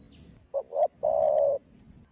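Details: Young spotted dove of the 'thổ đồng' voice style, descended from the 'thổ sấm' line, cooing to stir other doves to coo: a short low note, a swelling second note, then one long, steady, drawn-out coo against a quiet background.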